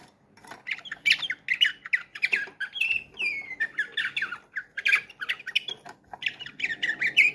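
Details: Canary in Ankara, 2023, singing in the slavujar bülbül style: a dense run of bright chirps, trills and short descending whistles, phrases tumbling one after another without pause, indoors with faint low room hum.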